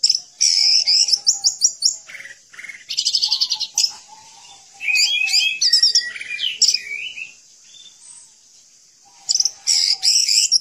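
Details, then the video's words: Orange-headed thrush singing vigorously as a training recording for cage birds: clusters of sharp high chirps and rapid trills in separate bursts, with lower warbled phrases and pauses between them. "Anis Merah Gacor Dan Teler Cocok Untuk Masteran"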